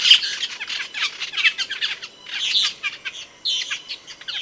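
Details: Camperling singing as a masteran model: quick clusters of sharp chips and harsh chattering notes, broken by short pauses, with a brighter squawky phrase midway and a final burst of scratchy notes.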